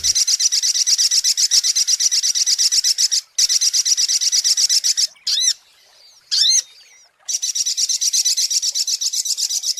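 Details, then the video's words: Sunbird lure song: long stretches of fast, high, sizzling pulsed trill, broken by a pause with two sharp sweeping chirps and a few thin squeaks, then the trill returns. "SUARA PIKAT mp3 BURUNG SOGOK ONTONG"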